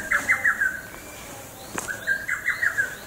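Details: Lesser cuckoo (Cuculus poliocephalus), the first heard this year, 3 June 2012, gives two quick staccato phrases of five or six sharp whistled notes about a second and a half apart, with a single click between them.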